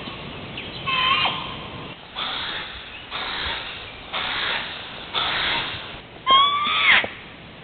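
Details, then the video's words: Hawaiian crow producing a run of rough, raspy calls at roughly one-second intervals. One opens with a clear harmonic note and the last is louder and sharply inflected, over constant faint hiss. "Hawaiian Crow (Corvus hawaiiensis) Call"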